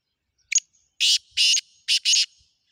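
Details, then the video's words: Full call phrase of a black francolin: a short clipped note leading into four grating, buzzy bursts, the last two run close together, with a quiet background. "کالا تیتر کی مکس آوازیں کالا تیتر کی بولیاں"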